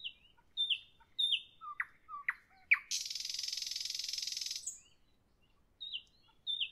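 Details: A Common nightingale (Luscinia megarhynchos) sings in the evening: varied phrases of clear whistled notes and quick descending slurs, then a loud, dense buzzing rattle for about two seconds, before returning to high whistles.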